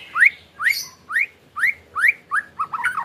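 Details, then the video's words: Ketrekan-style white-rumped shama song, played to prompt a caged shama to sing: a series of clear upward-slurred whistles about twice a second, ending in a jumbled warbled phrase. "PAncingAN MURAIbatu KETREKAN"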